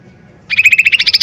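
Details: Lesser green leafbird in a loud lure recording meant to stir birds into song. A fast chattering trill of about a dozen bright pulses starts halfway through after near silence.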